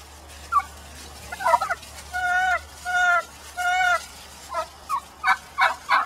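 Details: Angry hen inside a pen after being let back in with hostile flockmates gives scattered clucks, three drawn-out nasal squawks, then a few sharp clucks, over a steady background hum.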